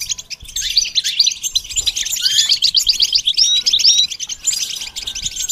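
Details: Goldfinch twittering song used as a training example: a rushing stream of high chirps and quick trilled phrases, with a faint steady low tone in the background.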